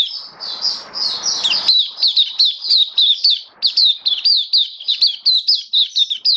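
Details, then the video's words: Oriental white-eye, a caged hobby bird, recorded 27 October 2022, pouring out a continuous string of thin, high slurred whistles, evenly spaced and lively, after a short burst of rustling noise at the start. "Mata Puteh Kitaro Buka Sing"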